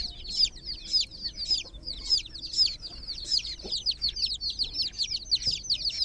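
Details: Groggy chicken chicks sitting in a water pool peep steadily, shrill and quick, with the calls overlapping into a rapid, uneven chatter.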